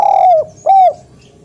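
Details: Spotted dove recorded as a loud master call to encourage lazy doves to call. The tail of a long coo slurs downward, then a single mellow, arched coo follows before silence.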